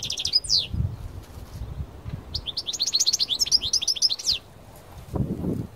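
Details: Parva-type European goldfinch brought out into nature, singing loudly: quick descending twitters, then a sustained run of rapid, liquid chirps and trills for about two seconds, ending with low rustling and handling noise.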